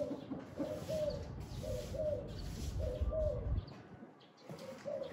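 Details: Spotted dove cooing on a very windy day, soft hollow notes grouped in short phrases with slight upward inflections, repeating roughly each second, set against strong gusting wind that drops away briefly before the final phrase.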